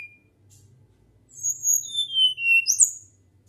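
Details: Flycatcher giving a natural whistling song: after a quiet start, a series of thin, high whistles that slide downward, ending in sharp bright upslurred notes.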